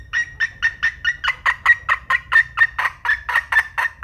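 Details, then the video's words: Red junglefowl hen cackling: around seventeen rhythmic, raspy notes repeated about four times per second, steady throughout, with a quiet background. "เสืยงแม่ไก่ป่าน้ำ 3 - Suab Poj Qaib Qus Tom 3 Seev"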